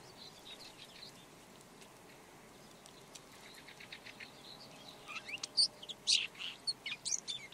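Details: Red-backed shrike (Lanius collurio) song: faint high scratchy notes early on, then from about five seconds a louder burst of varied, sharp chirps and squeaky whistles in quick irregular succession.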